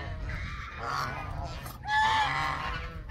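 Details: Honks from Canada geese, with softer overlapping calls and then a louder, clear, drawn-out honk in the second half. Low background noise is present.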